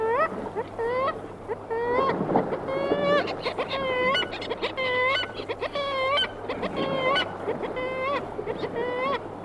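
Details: Kittiwake calling close up while others answer at middle distance by the sea; dense series of nasal, upslurred harmonic wails, many birds overlapping at a quick pace, with a low steady sea rumble beneath.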